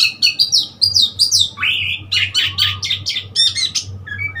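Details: Oriental magpie-robin on 3 March 2021, singing a rapid, loud run of high whistled notes. Many are sharply rising or falling slurs, delivered in quick succession with slight variation, over a low background hum.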